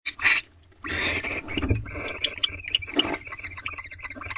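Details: Barn owls in a nest box at 9:11 pm as the male joins the female and they mate, with no food delivery; harsh, hissing screech bursts, then a run of short ticking, chittering notes and soft shuffling.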